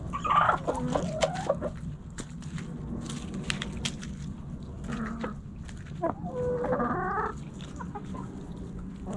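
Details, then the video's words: Backyard hens in a coop, clucking with short harmonic calls and a longer drawn-out call near the end, amid scratching, rustling and a steady low hum. "Backyard Chickens In The Coop Relaxing Video Sounds Noises Hens Clucking Roosters Crowing!"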